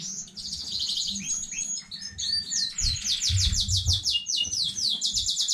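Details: Caged canary song recorded 15.05.2019, newly bred bird: bright chattering phrases that give way to long runs of quick, repeated high downslurred notes, about two per second in groups, over soft low bumping sounds.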